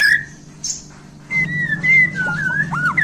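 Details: Newly acquired Bornean white-rumped shama sings clear whistled phrases, a short note, a pause, then wavering level whistles and quick downward slurs over a constant low hum.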